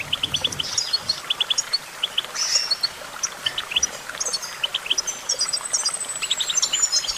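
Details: Goldfinch song of sharp, tinkling notes repeated in tight groups of three or four, mixed with short liquid twitters and a long thin whistle toward the end, over steady soft noise.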